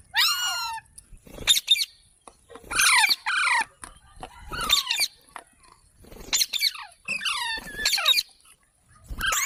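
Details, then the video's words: Parrot giving repeated harsh, falling squawks, mixed with clicks and knocking sounds from handling or movement close by. "Funny Parrot Sounds Videos | मिट्ठू की आवाज़ | तोते की आवाज़"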